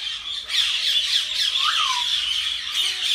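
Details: Common myna, a tamed pet bird, talking: a brief quiet start, then steady loud grating chatter with a bright upward-then-falling swoop in the middle and a low soft tone near the end.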